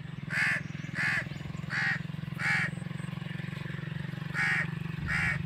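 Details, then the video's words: Crow calling naturally: six harsh, nasal caws, each about a quarter second, spaced roughly every 0.7 seconds with a gap near the middle, over a steady low engine-like hum. "crow bird crowing sound | crow ki awaz naturally | कौवा पक्षी कौवा ध्वनि | کوے پرندے کی کی آواز"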